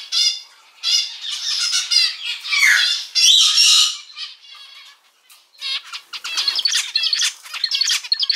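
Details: Male zebra finch kept as a household pet gives loud bursts of buzzy, rasping notes, falls quiet briefly midway, then resumes with quick clicking, stuttering notes.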